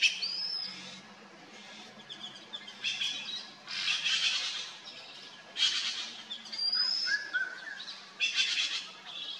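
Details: Red-billed blue magpies, a noisy trio raiding a fruiting wild pear tree in the Himalayan hills near Mussoorie; loud raspy squawks in bursts every one to two seconds, with some sharp whistled notes between.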